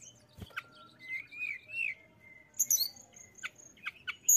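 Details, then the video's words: Mountain tailorbird singing: a soft wavering mid-pitched whistle drawn out for about a second, followed by scattered very high sharp whistles and chirps. "TLEDEKAN GUNUNG GACOR AMPUH MERANGSANG BUNYI BURUNG LAWAN"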